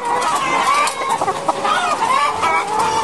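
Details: Caged laying hens on a French battery farm, February 2012, in a dense chorus of overlapping clucks and squawks with constant mechanical hum from the housing.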